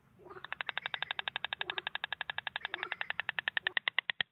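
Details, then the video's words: White stork rattling, made by rapidly snapping the beak with the head tilted back: a fast, even series of dry clacks, about eight per second, running steadily for four seconds over a faint low hum. "White stork sound (Ciconia ciconia)"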